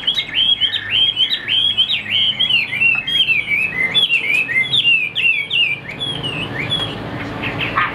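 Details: Chinese hwamei kept as a cage songbird, pouring out a rapid, continuous series of sweet whistled notes that bend up and down, with some very high thin notes above. The song fades somewhat toward the end.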